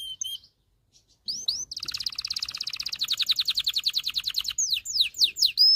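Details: Singing canary whose song is used to coach young males and stir females to mate: a few sharp notes, a pause, then a long accelerating pulsed trill ending in downward slurred notes.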